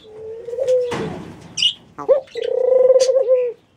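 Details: Mourning dove cooing: a soft, low, steady hooting note that falls slightly at the end, a burst of broadband rustling, brief higher chirps, then a longer, gently wavering coo of about one second.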